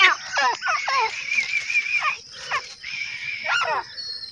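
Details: A female grey francolin (Ortygornis pondicerianus), apparently a captive bird in a village, calls with harsh, descending squealing notes in quick bursts over a steady high hiss like insects or other birds.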